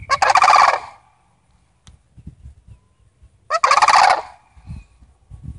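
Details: Two loud, rolling rattles about a second long, some three and a half seconds apart, from a visiting Sandhill Crane family; soft low knocks fill the pause between.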